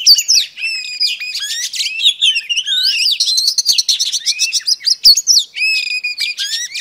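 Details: Female oriental magpie-robin singing to stir up males: a dense, continuous run of high whistles, sweeping slurs and rapid chattering notes, with looping upward and downward glides throughout.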